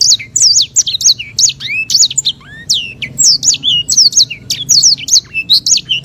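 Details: A white-rumped seedeater, called sanger, pours out long rolling master song with a clear voice: fast high twittering slurs mixed with a few lower upslurred whistles, unbroken over six seconds.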